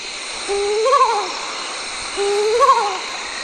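Mottled wood owl gives two eerie, quavering hoots, each rising then falling, about two seconds apart, over a steady high hiss of insects.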